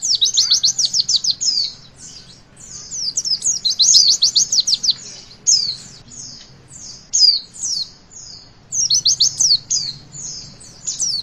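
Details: Lively 'witwit' song of a Javan white-eye, played to prompt young birds to sing, with fast bursts of sharp high chirps broken by short pauses and scattered whistled notes.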